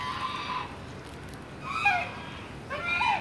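Three harsh, rasping squawks from a sulphur-crested cockatoo, about one every second, each grating and broad with a slightly falling edge; faint background hiss.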